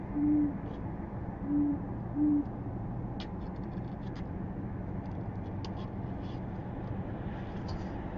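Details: Owl on its first flyabout, filmed by a nest camera on 20 January 2015, giving three low hoots in the first two and a half seconds, followed by scattered clicks and rustling.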